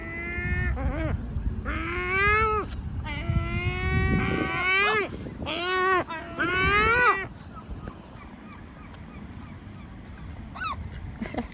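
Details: Great black-backed gulls complaining: a run of long, drawn-out nasal wails, each sliding upward at the end, about one a second, then fading into quieter background with a single brief high note near the close.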